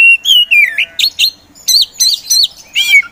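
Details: Caged Oriental magpie-robin (kacer), a competition songbird, singing energetically: a long clear descending whistle, then choppy rising and falling whistled phrases in quick succession, loud and bright.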